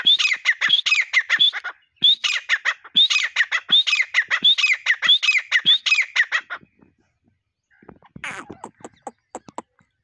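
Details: Hunting-lure partridge calling, loud grating squawks in fast repeated phrases, each opening with a short rising whistle, running for about seven seconds before quieter, scratchy notes.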